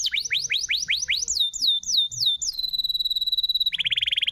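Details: A canary sings a lure song meant to prompt other canaries: quick rising-falling whistled notes, a held pure tone, then a fast dry rattling trill at the end.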